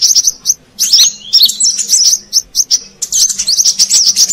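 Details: Brown-throated sunbird calls used as a lure in Indonesia: clusters of high, thin chirps and slurred squeaky notes, with short silences between groups.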